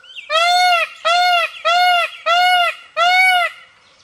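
A peacock gives five loud, nasal, harsh screams in quick succession, each about half a second long, with faint background tones between calls.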